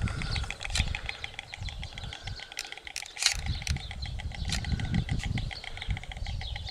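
White stork bill-clattering: a fast, dry, wooden rattle of evenly spaced clacks running steadily throughout, over a low rumble of wind.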